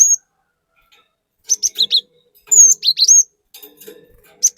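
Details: Lure recording of a chatty cinereous tit. Bright, high whistled notes come in quick groups of three or four, including a long downslurred whistle, separated by brief pauses with light background ticks.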